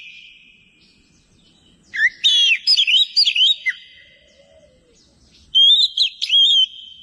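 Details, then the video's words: Greater green leafbird singing in lively, full form: two loud bursts of rapid, varied whistles and warbled phrases with sharp upward and downward notes, separated by a quiet pause with a faint sustained high tone. "Gacor Cucak Ijo"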